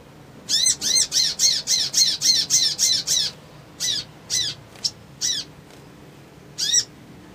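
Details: Crimson sunbird in an agitated, emotion-provoking series: a fast run of about eleven sharp high chirps, then slower scattered single notes and chips, clear over a quiet background.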